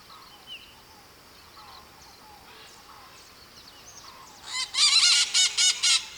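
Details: Maritaca parrots in Brazil, living in flocks: quiet soft chatter for several seconds, then a sudden loud burst of about five harsh, raspy screams close together at the end.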